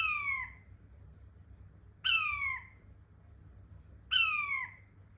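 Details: Three falling whistles from a King quail, spaced evenly about two seconds apart, each short note sliding down in pitch; steady faint low-frequency hum in the background.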